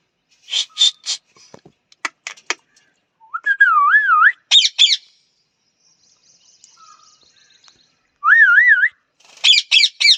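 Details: Pet parrot mixing short harsh squawks with clicks and warbling wavy whistles that rise in pitch, repeated twice, ending with a few loud strident squawks; quiet room.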